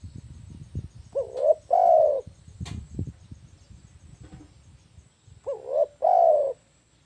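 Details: Spotted dove (tekukur) call used to lure birds: two full phrases, each a short rising coo then a longer mellow, slightly falling coo, separated by about four seconds of quieter rustling and faint clicks.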